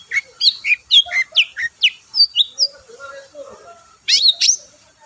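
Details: Long-tailed shrike song used to provoke other shrikes into singing: a rapid run of sharp, high chirps and short rising whistles, then a lower buzzy warble and a final loud harsh burst.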